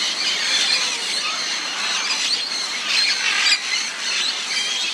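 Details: Three roseate spoonbill chicks at Bird Paradise, Singapore, beg with head bobbing at a feeding session, giving a dense, continuous chorus of high, hoarse squealing and wheezy notes swelling in bursts as parents regurgitate food.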